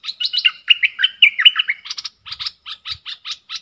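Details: Caged bulbul with dok taeng style song dueling wild birds, 3 October 2021: bright warbled, bubbling phrases with quick up-and-down slurs, then a series of short clipped chips in steady rhythm.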